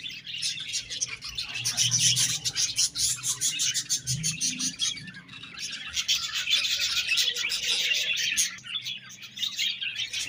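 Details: Budgerigars chirping in a loud, rapid stream of high chattering notes, many birds overlapping, with some low knocking sounds in the background.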